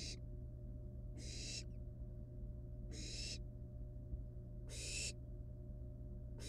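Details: Barn owl nestlings, wild, with live rat prey at the nest before killing and eating it; short raspy hisses, some fainter, recur irregularly about every two seconds over a low steady hum.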